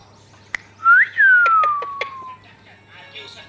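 An Indian ringneck parakeet gives a clear whistle that sweeps up, then glides slowly down over about a second, among a few sharp clicks and a low hum.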